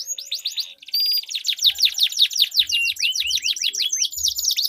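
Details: Two canaries duelling with a sweet, long rolling song used to prompt silent canaries to sing: rapid series of high downward-slurred notes, a brief break near the start, then a steady stream of fast sweeps and trills.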